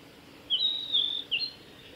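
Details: A male blue-and-white flycatcher (Cyanoptila cyanomelana) sings on the Kanazawa forest road at Lake Miyagase on 15 April 2018. It gives a brief phrase of clear, high, smoothly sliding whistles ending in a short slurred note, over faint hiss.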